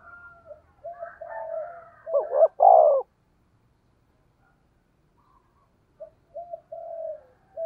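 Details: Spotted dove cooing in the deep thunder-voiced style used to lure wild doves. Soft murmuring coos lead into one loud phrase of two short hoots and a falling coo, then silence and faint low coos.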